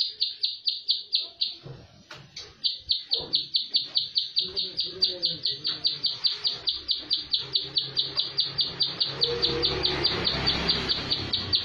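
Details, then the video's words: A plain prinia sings a fast, even string of high, buzzy notes, about four per second, with a brief pause, over a faint low rumble and murmuring. "PRENJAK SAWAH TEMBAKAN RAPET"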